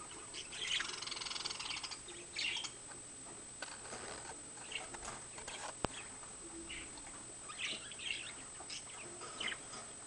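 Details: Old home recording from 2010 of a pet budgerigar or parakeet chattering in short scratchy bursts of chirps and warbles separated by pauses, with clicks, a sharp knock, and a faint constant high-pitched whine.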